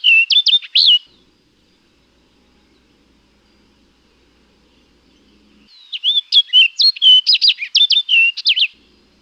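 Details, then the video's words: An orchard oriole sings two bursts of rapid, jumbled whistles mixed with chattery notes, the first brief, the second about three seconds long, with silence between. "Orchard Oriole Singing"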